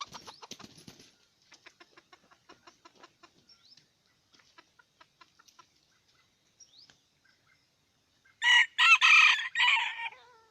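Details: Red junglefowl from Aceh: soft rapid ticking clucks repeated for several seconds, a quiet pause, then a loud hoarse multi-part crow near the end.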